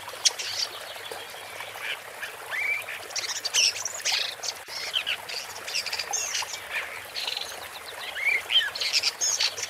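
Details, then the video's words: Woodchat shrike (Lanius senator) in extended song: rambling scratchy chatter with several rising squeaky whistles and harsh buzzy phrases, nearly continuous, over a faint hiss. "Woodchat Strike (Lanius Senator) Bird Song"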